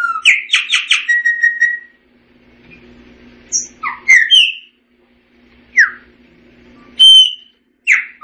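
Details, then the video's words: Gnorimopsar chopi song variation: a quick run of bright chipping notes sliding into a level whistle, followed by scattered sharp upslurred and downslurred whistles, with a soft constant low hum behind. "Tordo Chaqueño Cantando - Chopi Blackbird Singing - Gnorimopsar Chopi"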